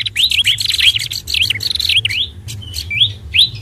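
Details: Lure call for fantail: loud, quick rising-and-falling whistled chirps in a tumbling series, then a pause and a few more twisting notes over a faint low hum.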